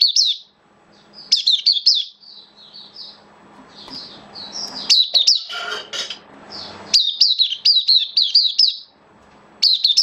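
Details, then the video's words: Caged oriental white-eye kept as a hobby bird, recorded 11 September 2022 while its form had dipped a little; bursts of rapid high chirping notes, bright and twittering, broken by softer whistled phrases and brief pauses, with faint low indoor hum. "Mata Puteh Kitaro Buka Sing"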